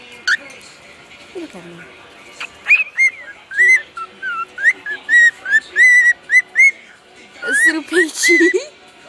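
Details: Male pet bird giving a sequence of whistled, slightly slurred notes at a moderate pace, opening and closing with louder rough bursts; a faint continuous background hum runs throughout.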